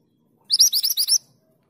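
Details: Mountain mantenan, a female calling her male, delivers a fast clipped series of piercing rising chirps for about three-quarters of a second, then silence.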